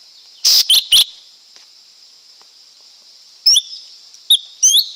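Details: Lesser green leafbird singing: a quick burst of three sharp, high chirps, a pause of over two seconds, then more clipped, rapidly sliding whistled notes, over a steady high-pitched insect-like drone.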